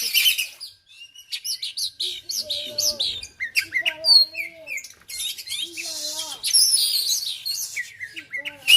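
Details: Kacer argal oriental magpie-robin from Aceh pours out varied chirps, slurred whistles and harsh buzzy bursts, while a soft human voice murmurs faintly in the background.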